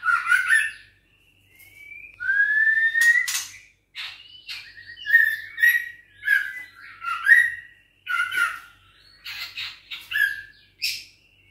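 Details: Juvenile white-rumped shama, six weeks old and of Bahorok lineage, kept caged, gives a varied stream of whistles, rising slurs and sharp clicking or scratchy notes in quick bursts, with short pauses between phrases.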